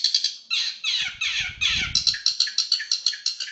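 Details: Long-tailed shrike performing a 'roll speed rapat' song, a fast tight roll: harsh, buzzy phrases give way to quick, evenly spaced sharp notes, about three per second, with a low rumble in the middle.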